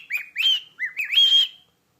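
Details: Pet cockatiel singing "Jingle Bells" to its owner: clear whistled phrases with rising and falling notes, two bursts of swooping whistles that end in a long level tone.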